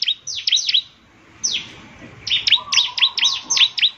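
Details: Bar-winged prinia (ciblek), lively song used to make other prinias answer: scattered, then quickening, sharp high down-slurred chirps, about four per second toward the end, over a faint low hum.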